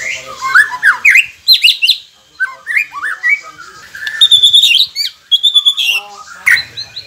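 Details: White-rumped shama song, used as a masteran training recording to get quiet birds to sing: loud, varied whistled phrases, some rising and falling sharply, others rich and slurred, with brief buzzy notes between them.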